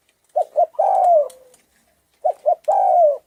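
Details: Spotted dove of Thai stock, hoarse-voiced, cooing to rouse rival and mate birds; two identical phrases: a pair of short low hoots and then a sustained, slowly falling coo.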